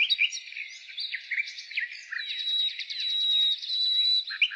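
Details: Spring nightingale song with mixed chirps and quick warbled notes, followed by a long steady high whistle sustained for over a second, then closing with a few sharp bright chirps.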